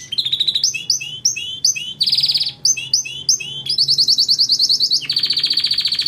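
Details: Canary song for tutoring jalak and other songbirds: repeated paired chirps in quick series, interrupted by bright buzzy rolls and ending in a long steady trill.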